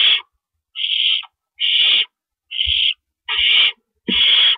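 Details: Owl nest, early morning darkness of April 4, 2012, as adults come and go with rabbits. Six loud, breathy hisses, each under half a second, are evenly spaced, with a few low bumps underneath.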